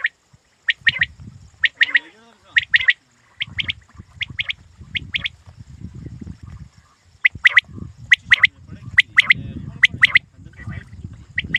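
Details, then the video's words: Hunting quail giving paired and tripled sharp chirps in steady bursts, with a pause midway, over a soft continuous low rumble. "Shikari batair ki awaz"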